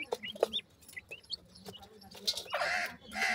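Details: Young grey francolins give short, sharp high peeps and small rising whistles at first, spaced unevenly, followed by a harsher, broadband rasping burst toward the end.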